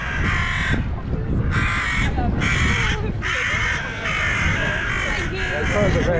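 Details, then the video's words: Agitated crows in Hyde Park yelling at a dog: loud, rasping caws repeated roughly every second in a chorus of overlapping birds, with people talking underneath and low city rumble. "getting yelled at by crows"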